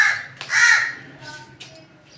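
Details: A crow gives a couple of short harsh caws, the second loudest, followed by fainter scratchy sounds and low background hum.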